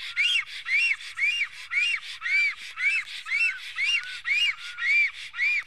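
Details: Black stork in Estonia defending its nest on 15 April 2018 near midday: a fast run of arched, whistled notes, each rising then falling, repeated about twice a second in a steady rhythm.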